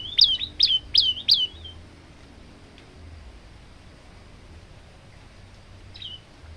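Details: Four loud, high, wavering whistled notes in quick succession from a male olive-backed tailorbird used to train other birds, followed by near silence, one faint note and a low rumble.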